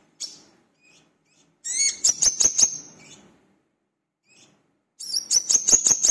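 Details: Lure song of a brown-throated sunbird (wiceh or manggar) in lively, nonstop form: two bursts of rapid, piercing high chirps over a steady thin whistle, separated by a few seconds of near silence.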